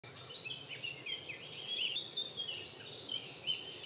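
European robin giving a steady stream of high, thin twittering and tinkling notes with no pauses, over a soft background hiss.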